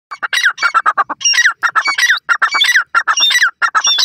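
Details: Grey partridge, locally Gora Teetar, calling in the wild: harsh, squawking notes in rapid rhythmic bursts, roughly ninety a minute, some with sharp falling strokes, loud and steady with no other sounds clear.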